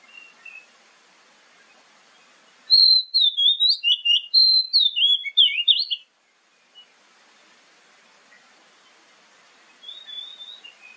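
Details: Oriental magpie-robin (kacer) lure song meant to prompt other birds to reply, morning and evening: faint whistles, then a loud three-second run of rapid varied whistled and chattering notes, silence, and soft distant phrases again.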